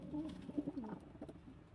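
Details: Short low cooing from a kept pigeon among local, Indian, Chinese and homing birds: a few brief throaty notes in quick succession, with light rustling behind.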